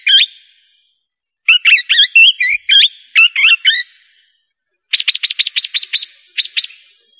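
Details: Swift parrot: one sharp high note, then a rattling string of fast, varied chirps, and later a rapid series of about eight clear metallic pips followed by two more. The background is silent.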